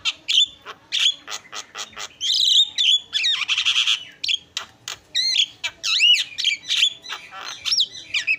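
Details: Caged Javan myna, a very noisy bird used as a master recording for training cage birds, pouring out a fast, varied stream of harsh chatters, sharp clicks, buzzy rattles and bright rising and falling whistles with barely a pause.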